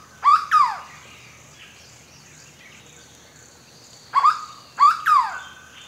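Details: Hooded berryeater (Corocoxó, Carpornis cucullata), a forest bird that sings at long intervals, gives loud, hollow, slightly slurred whistled notes, first a pair, then about a three-second pause and a group of three, over a quiet background.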